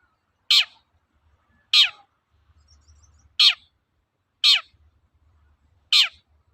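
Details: Long-tailed shrike, a lure recording for stirring kept birds to sing, the 'toet-toet' style: five loud, harsh, rasping notes, each sweeping downward, spaced about every 1.3 seconds, with faint low rumble between them.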